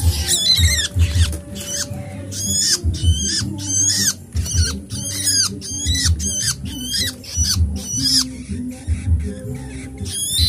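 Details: Hungry nestling birds clamouring to be fed, refusing to settle until given food: rapid series of piercing, high, descending squeaks in insistent bursts over about ten seconds, with a low background hum.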